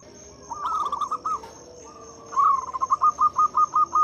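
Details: Strong local zebra dove singing to prompt silent doves, a rolling coo phrase followed by a fast regular train of clipped notes, about eight in under two seconds, over a steady insect whine.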